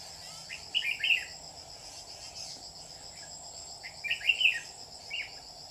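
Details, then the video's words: Red-whiskered bulbul used as a trapping lure, recorded 27 July 2019: two bursts of bubbly warbled notes, near 1 s and 4.3 s, against a steady high insect drone. "Bẫy chào mào mình dài lông mỏng"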